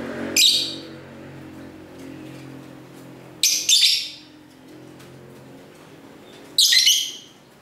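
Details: Domestic lovebirds singing and talking together, camera-recorded in a house near a busy street: three loud, shrill, buzzy chirps roughly every three seconds, with low street hum beneath.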